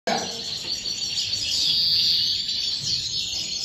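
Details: European goldfinch song: a dense, continuous stream of high twittering and buzzy trills, with sustained ringing notes, under a steady high-pitched background noise.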